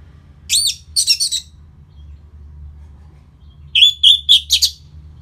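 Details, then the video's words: Orange-headed thrush song from Bali for stirring the bird after moulting; a short high arched whistle with chattering notes, a silence, then a quick run of clear whistled notes. "Pancingan Suara Burung ANIS MERAH Pasca Mabung || Selow Bikin Burung Bergairah jadi lebih agresif"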